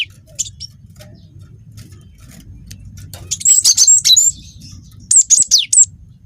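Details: Young cinereous tit, wingko type, as a lure for other birds: a brief faint note early, then a lively burst of high whistled notes with downward slurs and a second shorter phrase, over a steady low hum.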